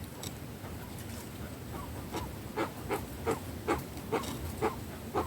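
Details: Guan in the sertão backlands: a series of short, clipped notes repeated about twice a second, growing louder and more regular through the second half, over a steady low rural background hiss.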